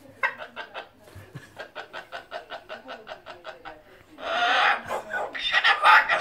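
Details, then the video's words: An Australian cockatoo chatters in a quick, even run of nasal pulses, about five a second, then breaks into loud, harsh, speech-like phrases, speaking Greek. "Australian cockatoo speaks Greek"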